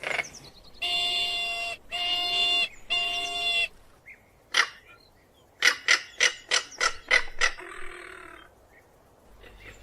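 A crested caracara gives three long, harsh, grating calls, then a rapid burst of about seven dry, rasping notes and a final rattly croak.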